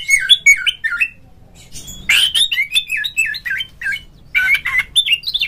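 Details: Oriental magpie-robin in a cage, a call meant to get other magpie-robins singing: rhythmic series of short down-slurred whistles, a harsh burst, then more repeated whistled notes.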